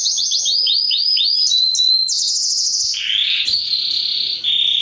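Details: Canary male song meant to excite hens for breeding, used for song training: quick series of swooping high notes, then a sustained buzzy trill, then lower steady rolling trills in continuous, loud delivery.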